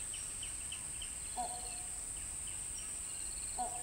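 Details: Great hornbill, also called great Indian or great pied hornbill: two short, nasal honking notes with layered harmonics, about two seconds apart, set against a steady high insect hiss and faint twittering birds.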